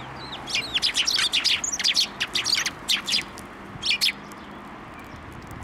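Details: Sparrows at a Tenmangu shrine flying onto a hand for food, 3 March 2024: a quick run of sharp, high chirps in bursts over the first four seconds, then a brief pause and a final pair of notes.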